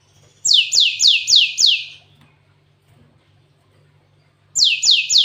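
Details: Cinereous tit, locally gelatik watu, singing canary-style fill: five loud, evenly spaced down-slurred whistles, a silent gap, then three more of the same notes.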